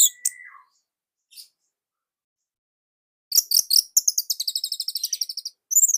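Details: Orange-headed thrush from Indonesia, singing nonstop as a training model: a few high chirps, then after a long pause a burst of rapid, tight, loud high notes and trilled phrases.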